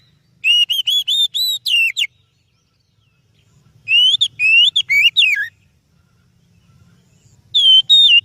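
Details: Kacer, the oriental magpie-robin, singing as a lure for other birds. Three separate bursts of bright, repeated whistles come with silent pauses of one to two seconds. Each burst ends on a sliding, falling note.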